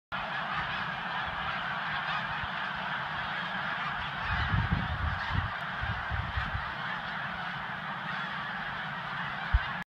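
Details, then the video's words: Snow geese heard from behind a house: a dense, continuous chorus of many overlapping honks and nasal yelps from a flock, with louder bursts around the middle and low rumbling background noise. "Snow geese"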